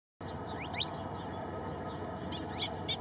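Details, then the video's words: A female Kentish plover at Mindelo, São Vicente, Cape Verde, gives alarm calls: short, thin rising notes in two brief bursts about two seconds apart, over a steady roar of wind or surf. "Sonido de alarma del chorlitejo patinegro"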